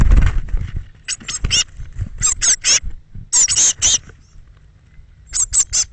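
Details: Young Eurasian blue tits, thirteen chicks leaving the nest box one morning between six and eight; groups of high, thin, rapid squeaky calls in short bursts, with a low rumbling knock at the start.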